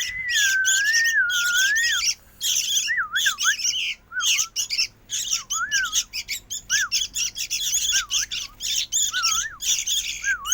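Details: A loud, restless sooty-headed bulbul chick utters choppy, harsh squawks, short bursts with brief gaps. A gliding whistle sounds at the start, then short curling whistles recur between the bursts.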